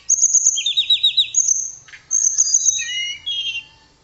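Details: Clear tledekan song: a long high whistled note over a rapid lower rattling trill, a short downward slur, then paired steady whistles and a buzzy ending phrase.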